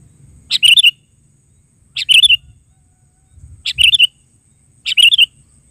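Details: Sooty-headed bulbul calling steadily: four matching phrases, each a rapid cluster of three or four bubbly, chirping notes, repeated about every one and a half seconds over a faint low background hum.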